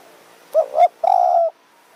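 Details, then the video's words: Spotted dove calling during decoy luring in high mountain forest, Kanchanaburi, Thailand; a small-voiced, sharp-calling bird. Two quick rounded coos are followed by one longer, level, drawn-out croon in a quiet setting. "ต่อนกเขาใหญ่ป่าสูง เมืองกาญ | หมายเสียงเล็ก คารมจัดจ้าน"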